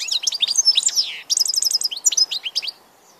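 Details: European goldfinch song, a fast continuous twitter of bright high chirps, a quick buzzy trill in the middle, then more tinkling notes before fading.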